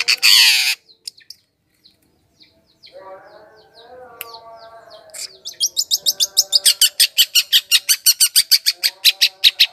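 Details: Long-tailed shrike lure song for attracting wild birds. A loud harsh burst is followed by near silence and faint murmuring, then a rapid, fairly regular train of high dry chattering notes, about three per second.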